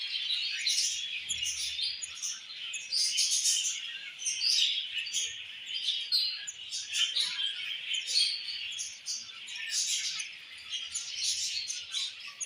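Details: Budgie mother feeding a baby budgie: long stretch of rapid, raspy high twitters and chirps rising and falling in loudness in short surges, with a brief low thump early on.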